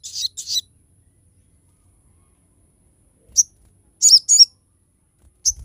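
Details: Crested jay with sharp, high notes used to train and lure other birds. Two rough chirps open, then after a pause come scattered piercing single and paired high notes.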